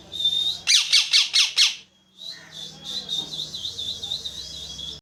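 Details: Parrot giving a fast series of five loud, high squawking chirps, then a softer run of quick, repeated high wavering notes, with a faint low hum beneath.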